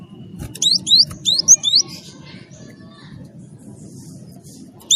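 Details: Java sparrow kept as a songbird, singing to prompt other birds to sing: a quick run of high, rising-then-falling hooked chirps in a burst under two seconds, then quiet, with a faint low hum beneath.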